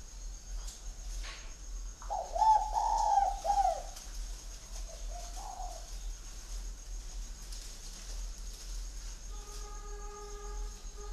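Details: Caged spotted dove at an aviary in Ba Vì, Hanoi, Vietnam, described as having a "giọng Son" voice: one short burst of soft, hollow coos midway through, otherwise quiet room hum with a steady tone near the end.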